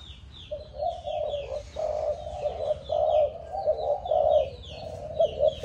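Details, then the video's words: Malaysian-type spotted dove, a young bird seven months old, giving repeated mellow cooing phrases of low, rounded notes in a broken rhythm, while other small birds chirp thin descending notes behind it. "Cu gáy malaysia/chim tơ 7tháng"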